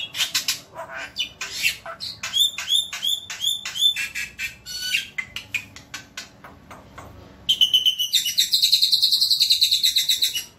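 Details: Masteran track of a Javan white starling: irregular loud clicks and harsh notes with short whistles, ending in a fast, ringing rattle of high notes.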